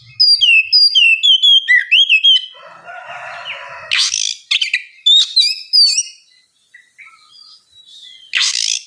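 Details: Oriental magpie-robin (kacer) ngeplong song meant to prompt a quiet bird to sing: fast varied whistles, then a harsh raspy passage, then more sharp whistled notes and a final scratchy burst.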